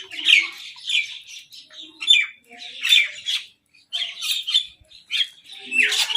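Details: Several crows squabbling for food alongside a mynah, giving rough, grating squawks in uneven bursts roughly once a second, broken by short pauses and a final loud screech.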